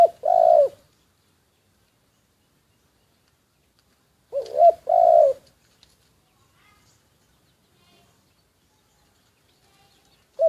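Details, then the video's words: Spotted dove kept as a decoy bird, secretly recorded: low, hollow cooing phrases. A short coo opens, then a two-part coo follows about four seconds later, and another begins at the end. The bird is silent between phrases. "แอบอัดเสียงนกเขาใหญ่ นกต่อ"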